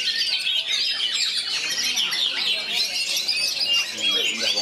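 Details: Captive oriental magpie-robin singing with three other magpie-robins close by, in an energetic performance style. Continuous dense, fast warbling of varied whistles and chattering trills, tightly packed and overlapping with no pauses.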